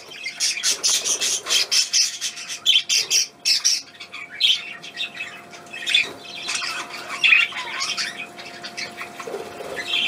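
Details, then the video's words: A small pet bird, described as a pocket bird, gives repeated harsh, high squawks and scratchy chirps in short bursts with brief pauses between. "Ein kleiner Taschenvogel"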